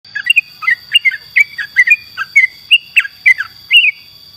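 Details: Yellow-vented bulbul singing actively as a tutor recording for songbirds: quick runs of short chirpy, slurred notes, some rising and some falling, about three per second, over a steady high electronic whine.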